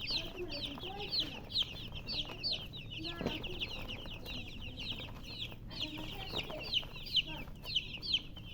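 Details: Chorus of baby chicks chirping: bright, thin peeps repeated about once a second by several birds, overlapping, with a few soft low clucks and a faint thump near the middle over low-pitched hum.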